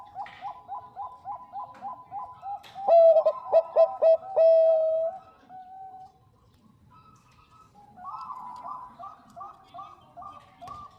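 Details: Female Bangkok zebra dove calling to attract a male: a series of soft rolling coos building into loud, clear, stuttered notes and a long held tone, then a quieter rippling sequence.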